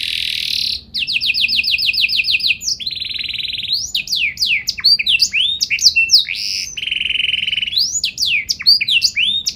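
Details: Singing canary with a special song style, used to set other canaries singing: opens with a hissy buzz, then a fast series of repeated chirps, a flat buzzing roll, and quick rising slurred whistles in varied bursts.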